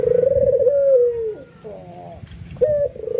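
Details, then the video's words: White albino ringneck dove, excited and nodding, cooing so other doves join in: a rolling pulsed coo slides into a long, steady, slightly falling note. Fainter overlapping coos from another dove follow, then a new sharp coo begins. "SUARA BURUNG PUTER PUTIH ALBINO FULL NGANGGUK EMOSI BIKIN PUTER LAIN TERPANCING IKUTAN GACOR"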